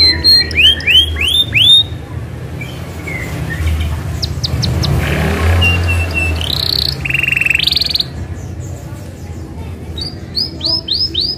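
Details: Isabel canary in lively rolling song meant to prompt other canaries: quick upswept whistles open and close the phrase, with short flat buzzy tours in between, partly masked by a low rumbling noise in the middle.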